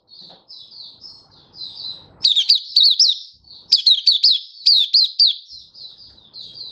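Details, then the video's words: Malaysian white-eye kept as a song bird, singing on a stable, warm, sunny day in Singapore, 20 March 2023: a continuous high twittering warble of quick chirps and trills, louder bursts of rapid notes from about two seconds. "Malaysian Mata Puteh Happy Buka Sing"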